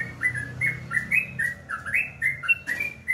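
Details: Morning song of a sooty-headed bulbul, known locally as trucukan: quick whistled, slurred notes at a middling pitch, about three to four per second, some rising, some falling, with faint low hum behind.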